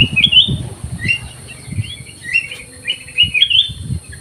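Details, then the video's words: A caged black-crested bulbul in an aviary sings short slurred whistles and chirps in loose bursts, with soft low thuds between the phrases. "KUTILANG EMAS GACOR"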